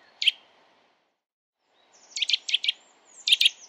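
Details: Brief snatch of Eurasian nuthatch song in December: a single sharp note, a pause, then a short quick series of three or four whistled notes and a final pair, all fairly clean over low hiss.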